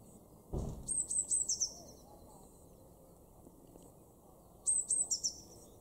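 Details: In a Weener garden in East Frisia, northwest Germany, during March 2024, a Eurasian blue tit repeats its song twice: a run of thin, piercing high notes tumbling into a rapid trill, with a soft thump near the start.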